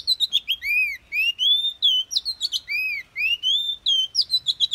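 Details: An Oriental magpie-robin sings a wild-type, forest-style song: a rich, continuous run of clear whistles, rising slurred notes and quick sweet twitters, with phrases tumbling one into the next without pause.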